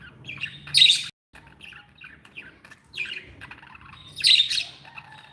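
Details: Happy pet budgerigars chattering: bursts of harsh, buzzy squawks and scratchy warbles around one second and again near four seconds, with softer twittering notes between and a brief silent gap.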